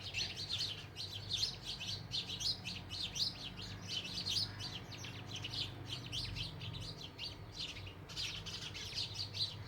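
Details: House sparrows (चिमणी पाखरं), a bird once commonly heard around homes and now said to have become rare. A dense chorus of overlapping sharp chirps continues nonstop, with a steady low hum underneath.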